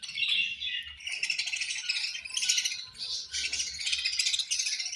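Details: Angry budgerigars at lunch time, a flock chattering continuously in rapid high chirps and rattling warbles, with several birds calling at once and no pauses.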